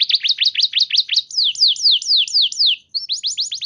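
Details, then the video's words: Canary song used to stimulate other canaries to sing, with repeated downward-sweeping notes roughly two per second, high and clear, ending in rising chirps after a brief break. "Pancingan Burung Kenari Macet Bunyi! Ampuh Bikin Kenari Lain Langsung Respon Terpancing bakal Gacor"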